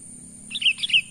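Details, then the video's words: Natural call of a sooty-headed bulbul, a lure call for wild birds: a bright burst of three bubbly, downslurred chirps close together, loud against a constant thin high-pitched hiss. "pikat burung kutilang suara alami"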